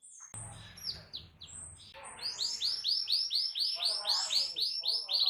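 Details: Canary singing loudly to stir other canaries into song. Opens with a few high whistles over brief low rumble, then a steady train of rapid ringing notes, about four per second, with sweet high chips above.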